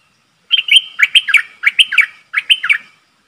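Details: A Streak-eared Bulbul, a caged decoy bird, gives bright, bubbly chirps in three quick clusters of two or three notes each, sharp and mid-high, with nothing else heard.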